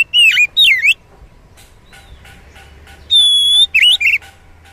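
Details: Oriental magpie-robin song from the wild, played to a caged bird: two loud dipping whistles, a quiet gap, then a long steady whistle and two short warbled notes.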